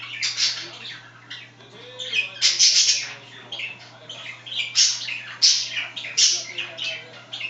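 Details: Budgerigars kept as pets chatter indoors while one scratches: harsh, scratchy warbled phrases and bright chirps tumbling in irregular bursts over a constant low electrical hum.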